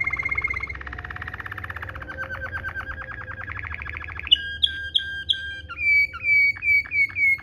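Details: Rolling 'ngerol' song of a Waterslager canary, a tutor recording for training canaries: a held note opening into an even rapid rolling trill, then loud piercing notes and a run of repeated bell-like dropping phrases.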